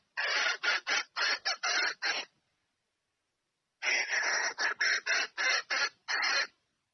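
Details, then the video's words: Red junglefowl hen calling her male to mate with two bouts of about seven short, harsh, raspy notes each, separated by more than a second of silence. "Tiếng GÀ RỪNG MÁI Gọi Trống Chạy Về Đạp Mái Tốc Độ / Âm Thanh Gà Rừng Mái Kêu"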